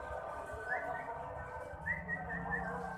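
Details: A wild drongo perched on an electric wire right overhead, chasing butterflies and dragonflies, gives a few short, clear whistled notes, each slightly rising, over a steady low rumble and a man's voice nearby.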